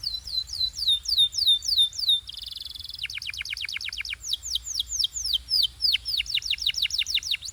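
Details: Canary singing a training song for coaching quiet birds, moving from drooping whistled slurs through a brief dense buzzy roll into rapid repeated chop-like notes, then loud sweeping whistles about three per second.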